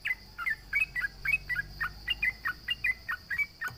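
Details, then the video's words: Sooty-headed bulbul, or trucukan, song used to mock opponents: rapid repeated chattering doublets of short warbled notes, steady in rhythm, with a faint continuous high tone behind. "SUARA trucukan gacor MENGEJEK LAWAN"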